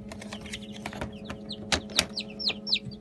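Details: Light Brahma chicks aged 15 days cheep in sharp, high, downslurred notes, a few louder peeps near the end, mixed with clicking knocks and a faint background hum.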